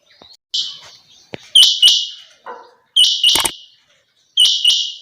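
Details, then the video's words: Female quail (chinga batair) giving loud, high, harsh paired notes in three separated bursts, each with a sharp opening flick and a drawn-out buzzy tail, with a few faint softer sounds between. "female quail sounds chinga batair"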